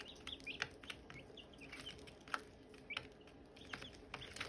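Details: Silkie chicks peep alongside hatching eggs. The scattered thin, high chirps, some rising and some falling, are interrupted by occasional sharp clicks and knocks.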